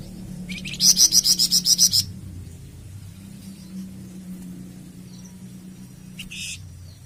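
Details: Song of a Flamboyan bird, meant for tutoring and prompting caged birds to sing: about ten rapid, evenly spaced, piercing high notes in a two-second run, then a faint short note later over a low steady hum.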